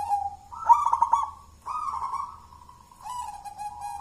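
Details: Local wild-born zebra dove from Mojopahit, Java, a champion contest bird hand-raised from a chick: low mellow cooing phrases with pitch steps up and down, a rolling trilled burst in the middle, repeated in linked segments.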